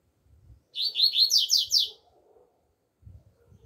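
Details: A double-collared seedeater sings outdoors in the 'alegria tuí tuí zeo zeo' style: a brisk string of six or seven high, scratchy slurred notes, with soft low thumps before and after.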